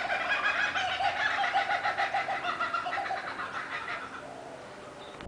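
Kookaburras give a loud, raucous laughing chorus: rapid rolling hoots and cackles that rise and fall for about four seconds before fading.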